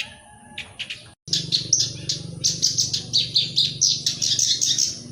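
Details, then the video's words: Song of a black-browed reed warbler, used to coax other birds into song. A few faint notes are followed by a brief dropout. A dense, scratchy chatter of rapid high notes then runs on, with a steady low hum underneath. "Suara Kicau || Burung Kerak Basi Alis Hitam (Sincan) Untuk Pancingan Bunyi"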